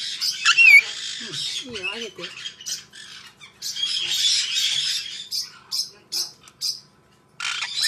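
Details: Harsh, high squawks from a white-bellied parrot come in separate bursts. A brief whistled note sounds early, a lower wavering sound follows near two seconds, and rasping calls continue between short pauses.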